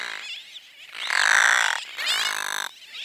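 A Brown Noddy gives harsh, croaking calls rich in overtones, two drawn-out grating notes under a second each, with fainter calls before and after.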